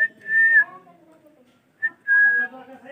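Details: Male ringneck parrot using its talking voice: two clear steady whistled tones with faint lower harmonics, separated by a quiet pause, in a small room.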